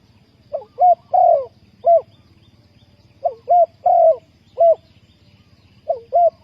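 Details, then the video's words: Trapping lure spotted dove giving three cooing phrases of short hoots around a longer rolling coo, repeated roughly every two and a half seconds over a low steady hum. "นกเขาใหญ่สายต่อดิน,Tekukur pikat,Cu gáy Ninh Thuận,Sound Of dove"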